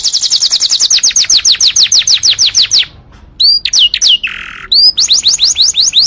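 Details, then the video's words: Canary singing, meant for training and provoking other canaries to sing: a long run of quick falling notes, a short pause, scattered sweeps and a buzzy note, then the fast falling notes return. "KICAU BURUNG KENARI COCOK UNTUK MASTERAN & PANCINGAN"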